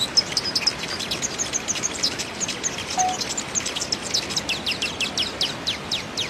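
Hummingbird giving a rapid, high, thin series of squeaky chips and buzzy notes, repeated several times a second, over faint background hiss.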